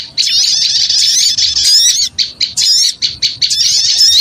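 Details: Small birds calling noisily as a lure: a loud wall of high, shrill twitters and rising whistled notes, pulsing in short bursts toward the end.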